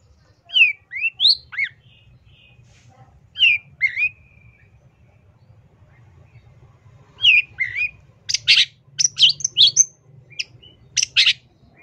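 A long-tailed shrike sings a varied medley of sweeping whistled notes, then bursts of harsh, scratchy chatter, with a low hum underneath.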